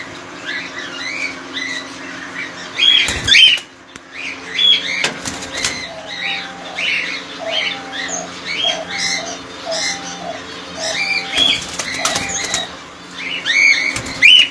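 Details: Cockatiels in a colony, many birds calling at once: arched, whistled chirps repeated irregularly, with bursts of wing flapping and a low steady tonal hum underneath.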